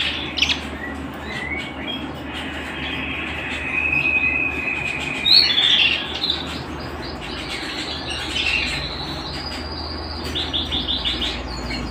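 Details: Canary song at home, softer and more broken: short sustained whistles and brief high chirps separated by quieter gaps, with a steady low hum and hiss underneath.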